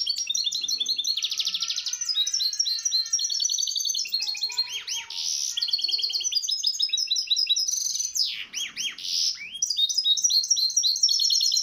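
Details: Misto hybrid canary song on a recording made for teaching young birds: a dense, unbroken run of fast, high, varied trills and buzzy rattles with sweeping whistled slides, steady and loud throughout.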